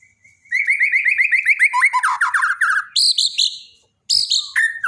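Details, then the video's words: Borneo white-rumped shama singing for daily training: a fast series of repeated rising chirps about four per second, then louder buzzy notes and sharp whistled flourishes after a brief gap. "borneo dokter burung murai mandek (Masteran harian)"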